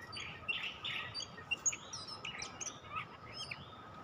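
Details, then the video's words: Oriental magpie-robin (kacer) used for bird luring: a quick, busy jumble of whistled notes, slurs and sharp chirps, varied in pitch and tightly packed over four seconds, with a steady background hum. "Mikat Kacer"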